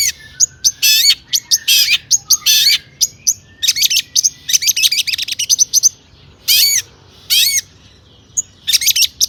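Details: Singing long-tailed shrike with a mimicry-filled song, played to trigger other shrikes: dense runs of sharp, scratchy high notes and rasping bursts, broken by brief gaps, then a few strong falling slurs.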